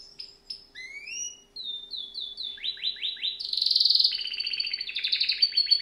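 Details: Canary song of clear whistled notes and upward slurs, followed by a series of falling chirps repeated several times a second, building into a loud buzzy trill and chattering finish.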